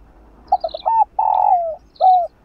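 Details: Spotted dove giving a stimulating coo for a slow-cooing dove: a low stuttered start, then a long rolling coo easing downward and one final slurred note, with soft high chirps in the background.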